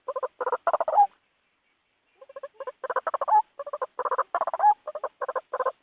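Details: Lure recording of white-breasted waterhen for bird trapping: clustered croaking, grunting notes in quick bursts, a silent gap of about a second, then renewed rapid runs with short squealing inflections.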